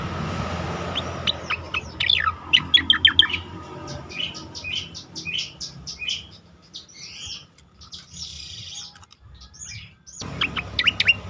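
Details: Training song of an Asian pied starling for competition birds: varied whistles and fast rattling chatter over steady background hiss, then a quieter stretch of burry notes and a final burst of sharp calls.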